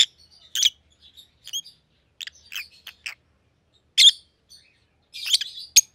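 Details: Captive white-headed opaline Rosy-faced Lovebirds, a pallid and a green sibling pair, utter scattered shrill chirps and brief squeaky notes separated by short silences.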